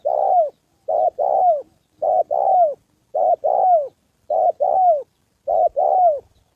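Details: Cooing of a spotted dove used as a decoy bird in Vietnam: steady pairs of low notes, a short coo then a longer falling one, repeated about every 1.1 seconds in a quiet setting.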